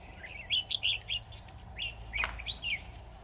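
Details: Red-whiskered bulbul used as a decoy, singing in a trap: quick bright warbled phrases, chirpy and slightly rising, delivered in short bursts over a quiet low hum.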